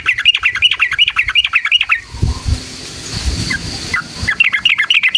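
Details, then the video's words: Yellow-vented bulbul, song meant to make other bulbuls sing: fast chattering run of bubbly notes, a short pause with a few scattered calls and low rumble, then the rapid chatter resumes. "SUARA trucukan gacor JITU NGALAS ROPEL PANJANG buat PANCINGAN agar burung trucuk gacor EMOSI"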